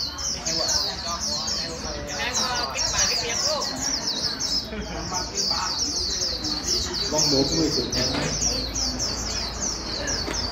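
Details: White-eye, newly caught from the wild, prompted to sing quickly in líu style: sustained high-pitched twittering of fast downslurred chirps over about ten seconds, with people talking softly underneath.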